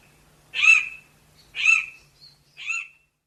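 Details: Chestnut Forest Rail calling with harsh raspy squeaks. Three short grating notes come roughly once per second, and the final one is softer. Quiet background otherwise.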